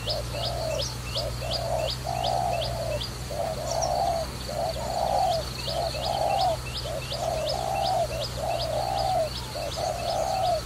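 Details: Steady run of low coos from a trapping dove, short and longer notes alternating, under a fast series of high chirping notes from another bird.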